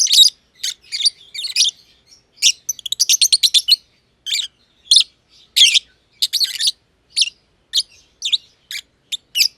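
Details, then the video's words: Aviary lovebirds, one green personata and one green pied personata, chirping at length; rapid shrill notes, including a quick stuttering run of clicks, scattered with brief gaps. "Lovebird Chirping Sounds - Green Personata & Green Pied Personata"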